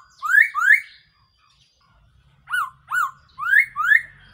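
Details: Black-throated laughingthrush decoy call for trapping: two rising slurred whistles, a pause of over a second, then four more loud whistles, the first two dipping and the last two sweeping upward.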